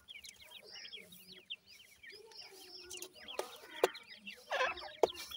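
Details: Francolin chicks giving many short, high peeping chirps in quick, uneven runs, with a few lower clucks and sharp clicks or knocks.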